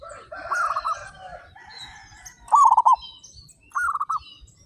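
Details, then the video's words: Local zebra doves from a group of 35, described as loud and actively singing: a soft first phrase, then two loud stuttering cooed phrases of four to five quick pulses, with faint high chirps behind. "PERKUTUT LOKAL GACOR SUARA BESAR"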